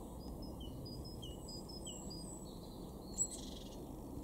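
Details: Eurasian blue tit in a garden in Weener, East Frisia, northwest Germany, in March 2024. It gives thin, very high notes and short down-slurred calls, repeated quickly over a steady low rumble of wind or traffic, with one sharp click.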